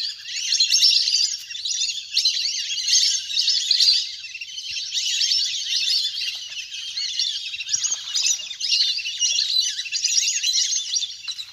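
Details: Large flock of ducks at play on the water, recorded in nature for luring birds to land; pulsing waves of high, squeaky chatter from many birds, rising and falling every second or two.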